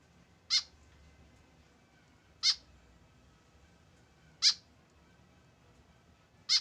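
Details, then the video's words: A solitary tame white-breasted woodswallow with no companion gives four short grating nasal calls spaced about two seconds apart, over faint low background noise. "KESEDIHAN BURUNG KEKEP BABI TANPA TEMAN"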